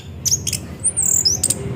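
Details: Orange-headed thrush song used as a lure to make the bird sing; short high whistled slurs and sharp chipping notes in quick succession, with a low hum beneath.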